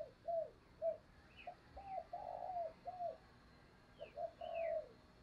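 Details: Decoy spotted dove cooing to attract wild doves, heard more distantly over a steady hiss. Soft, repeated descending coos form two phrases, with faint higher chirps of small birds in the background.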